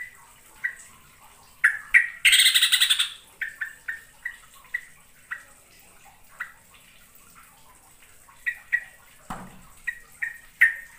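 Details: Trapping lure of the yellow-vented bulbul, or trucukan, in Indonesia, billed as full 'gacor' singing with long rolling phrases: crisp clipped notes in loose series, a brief rough chattering burst near the start and a low thud later.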